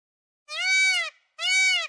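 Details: Indian peacock calling, recorded on a Canon EOS 3000D camera: two loud, nasal, harmonic-rich wails, each about half a second long and slightly arched in pitch, separated by a short silence, with no other sounds.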